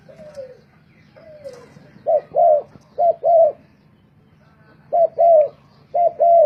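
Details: Contest-singing spotted dove kept as a decoy bird: a soft falling coo, then four crisp double-coo phrases spaced about a second apart, with quiet gaps between and a steady low background hum.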